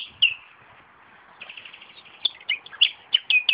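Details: A common nightingale sings in a garden among tomato plants: a quieter warbled opening, then a run of sharp, high chips and short whistled notes, quickening toward the end.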